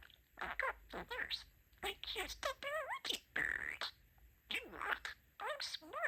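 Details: Male pet budgie mimicking human speech, mixing phrases like "Super!" and "Sweetie-pie!": a string of scratchy, word-like syllables and wavering whistled warbles, separated by brief pauses, indoors with low background hum.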